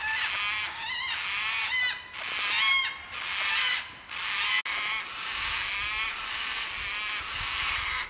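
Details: White-tailed black cockatoos calling in forest at Lane Poole Reserve, Western Australia: loud, rich, wavering wails repeated roughly every second, several birds overlapping, with a sharp click partway through.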